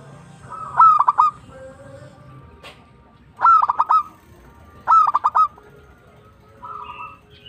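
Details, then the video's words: Local zebra dove in tumbak cucukan style: three loud phrases of a whistled note and rapid clipped coos, about two seconds apart, with quieter purring trills from other doves in the background. "PERKUTUT LOKAL GACOR TUMBAK CUCUKAN ASLI"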